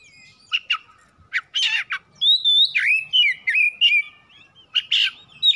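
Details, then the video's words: Oriental magpie-robin (kacer) kept at home, giving a lure song to coax other birds into song. Scratchy chirps open into a run of sweet whistled notes that rise and fall, then further chirped accents. "PANCINGAN CEPAT PAGI SIANG MALAM KACER RUMAHAN CEPAT GACOR"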